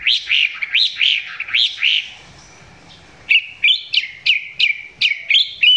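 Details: Close recording of a caged Chinese hwamei, its song still not at full power: bursts of rapid arched whistled notes, about three per second, a pause, then sharp rising two-part notes repeated.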